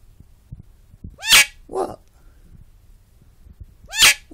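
A talking bird gives two loud, harsh, screechy bursts nearly three seconds apart, with a lower, voice-like utterance just after the first.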